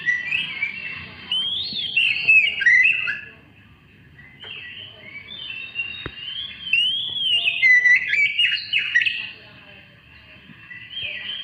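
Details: Oriental magpie-robin song used as a lure to provoke other birds into singing: loud, varied whistled phrases with slurs, rising and falling notes and quick trills, in two bursts separated by a short pause.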